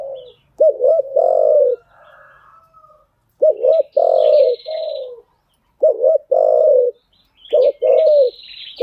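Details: Cooing of a spotted dove meant for training newly caught birds: repeated double-noted coos each followed by a drawn-out, descending coo, in quick phrases; higher twittering of other small birds between them.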